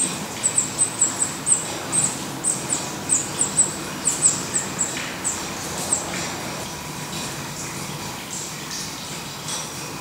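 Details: At a Black redstart nest in Portugal, bursts of quick, very high-pitched chips fill the first six seconds, then fade to near quiet with only background hiss.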